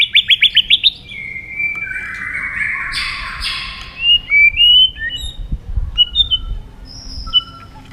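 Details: Competitive song of a white-rumped shama: opens with a fast series of about eight sharp repeated notes, then long whistles, a harsh buzzy burst, and scattered high clear notes toward the end.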